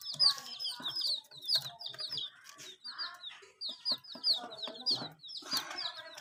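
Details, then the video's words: Murgi chicks being kept warm and drinking water peep in quick runs of high, thin chirps, several each second, over soft low clucking and scuffling. "Silly Chicks Chirping Sounds"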